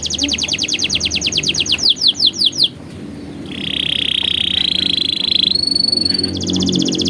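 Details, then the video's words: Canary song used as tutor material for young canaries. A high rapid trill of rising notes slows into a few louder slurs. After a short gap comes a long buzzy rolling tour, then two higher rapid trills. "MASTERAN PALING EFEKTIF BURUNG KENARI"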